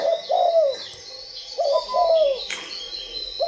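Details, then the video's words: Spotted dove cooing in Vietnam, low mellow two-part coos with a slight downward slur, repeated in phrases about a second apart, with one sharp knock in between and a faint hum behind. "ĐÂY MỚI LÀ CHIM CU GÁY"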